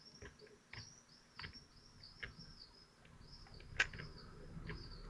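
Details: Common kestrel family at their nest in Théding, France, 25 June 2023, during a feeding; a run of high, thin, downward-arched calls repeated roughly every half second to second, with a sharp click and low rumbling noise.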